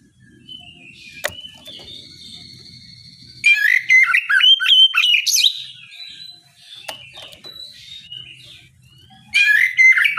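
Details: Oriental magpie-robin singing in ngeplong style in the morning to provoke rivals into answering: loud bursts of varied whistles and warbles, the first about two and a half seconds long, a quiet gap, then another burst near the end; low background hum.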